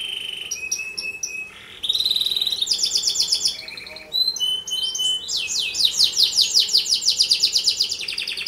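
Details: A canary sings a song used to prompt other canaries to sing: fast and varied, with high whistles, rolling trills and buzzy rattles, switching phrases every second or two, with no other sounds.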